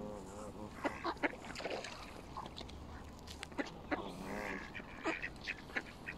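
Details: Canada geese on a bank giving short nasal harmonic calls in scattered bursts, one near the start, others around the middle and later, among clicks and low background rumble.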